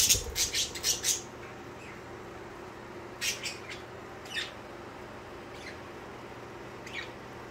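Budgerigars give bursts of rapid, scratchy chirps and squawks, loudest at the start, then fading.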